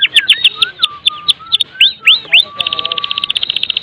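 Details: Medan white-rumped shama giving lively full song, meant to get other shamas singing; sharp looping whistles over low level tones, then a rapid, even stutter of high chips.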